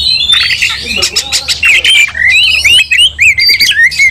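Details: Oriental magpie-robin in a fighting bout, agitated and aggressive, provoking other magpie-robins to rage; loud, dense bursts of harsh squawky notes mixed with quick rising and falling whistled slurs, delivered continuously with brief gaps.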